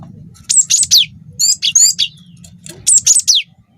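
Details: Young wingko-type cinereous tit, a lure recording to provoke other birds into singing, with long rolling phrases. Three bursts of very high, sharp chirps with steep downward sweeps, each about half a second long, over a faint low hum.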